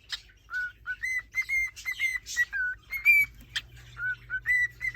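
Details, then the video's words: Male cockatiel in a cage courting a female, giving a run of clear whistled notes, mostly level or gently rising, repeated about twice a second with short gaps, with a few harsher chirps mixed in. "Cockatiel Courting Ritual/ Behavior Compilation"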